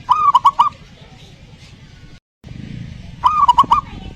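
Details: Zebra dove song played as a lure to get a silent dove to start singing. Two short phrases of three rolling, cooing notes with sharp clicks, split by a brief silent cut, over a steady low rumble.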